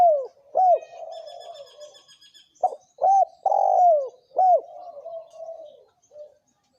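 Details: Thổ kim style cooing from a male and female spotted dove, used to provoke wild doves. Several arched coos and a long swelling note, with faint higher twittering from another bird early on.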